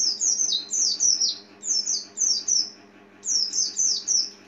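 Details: Oriental white-eye calling: rapid strings of sharp, very high, descending tseep notes in clusters of three or four, nearly continuous, with a faint low hum behind.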